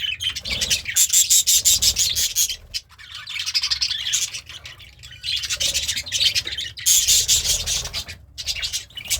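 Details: Happy budgie singing as it eats greens: loud, buzzy, high chatter in long runs of rapid notes with fine whistled accents, two main bursts separated by a short lull.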